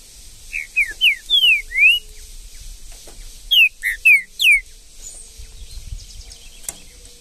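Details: Green-winged saltator in Brazil's bush giving two clear phrases of four or five looping whistled notes, each note sweeping up or down, with a short gap between phrases and faint rustling afterward.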